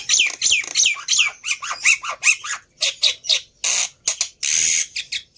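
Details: Black-winged myna lure song meant to get a silent bird calling: loud scratchy chattering notes in a rhythmic series, closing with a hissing, noisy screech.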